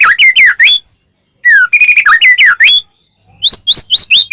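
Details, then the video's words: Vigorous white-rumped shama song meant to provoke a caged shama: varied bursts of rich, slurred whistles and rising notes in quick phrases, broken by brief pauses, with a short descending whistle and a sharp rising series at the end. "murai batu gacor ngeplong PANCINGAN murai batu agar bunyi"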